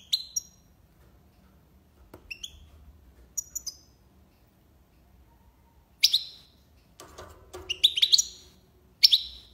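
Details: European goldfinch giving sparse high twittered notes in tiwawati style, separated by silences, with a rustling noise near the end.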